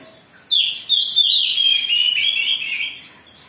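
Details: Oriental magpie-robin singing agitatedly as a lure for other birds: a single strong whistled phrase of fast, tumbling high notes that sinks slightly and fades at the end, over quiet background.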